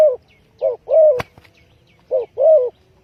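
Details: Spotted dove coos used as a trapping lure, two short-long pairs of low mellow notes, interrupted by a sharp snapping click, with faint high chirps of other birds.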